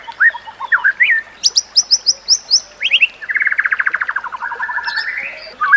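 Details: White-rumped shama singing as a training master for other shamas: rising whistles, a row of high sharp notes, then a fast rattling trill easing into a softer, steadier warble.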